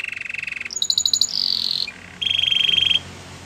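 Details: Belgian canary song meant for training canaries: short buzzy trills and a quick stuttering high run, then a sustained ringing trill, over a faint background hiss.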